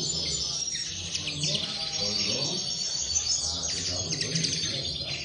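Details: Several common linnets twittering together, a dense run of quick high chirps and short trills with no pauses, over a steady low background hum.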